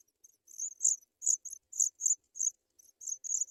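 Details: African pipit nestlings being brought white butterflies to eat; a rapid series of shrill, high-pitched squeaky chirps, about a dozen in three seconds, sometimes doubled, with no other sounds.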